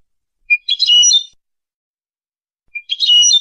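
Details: European goldfinch song for tutoring young birds: two loud bursts of mixed buzzy chirping, each opened by a single sharp note, separated by about two seconds of silence.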